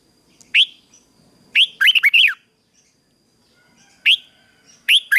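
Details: Red-whiskered bulbul morning fighting song for training wild-caught birds: sharp single upslurred whistles mixed with a short bubbly phrase of slurred notes, given in quick bursts.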